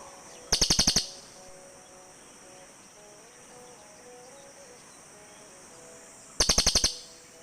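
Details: Cililin birds calling back and forth: two short bursts of rapid, high, metallic chattering notes, about eight notes in half a second, separated by a long pause with faint low tones in the background.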